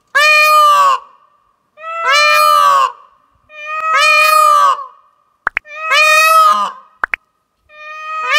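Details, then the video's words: An 11-month-old pet Indian peacock, turning from peachick to peacock, gives his first mating calls: five loud, nasal, wailing calls, each about a second long and rich in harmonics, roughly every two seconds, with a few sharp clicks between. "Young Peacock First Mating Calls"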